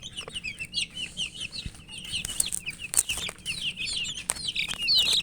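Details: Chicken chicks chirping while eating; many high, thin peeps overlap continuously, rising and falling, with pecking taps and clatter throughout.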